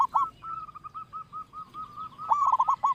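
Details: Loud local zebra dove used as a lure: a short stutter, a row of even, spaced coos, then a rapid rolling cluster of lower hooked notes.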